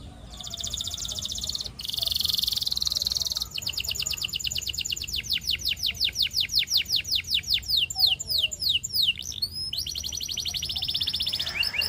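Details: Canary song built from rapid rolling trills: a buzzy sustained phrase, then a long run of quick repeated sweeping notes, shifting into another fast trill near the end.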